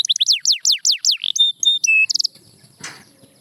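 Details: Canary song for coaxing quiet canaries into singing: quick descending whistled sweeps, then a held flat whistle, short notes and a bright buzzy burst, ending in a brief noisy click.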